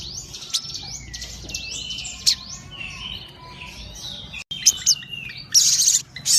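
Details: Sogon bird in full song, a busy stream of high chirps, sharp downslurred whistles and a thin rising whistle, with short loud buzzy bursts near the end.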